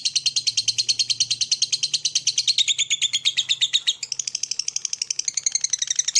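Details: Morning lovebird chatter, used to spur other lovebirds into long trilling: rapid, rattling high-pitched notes in an unbroken stream, shifting pitch and texture midway, then continuing as a quick scratchy trill.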